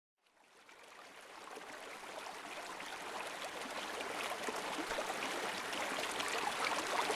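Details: Steady rush of running water that grows gradually louder, with no animal calls standing out.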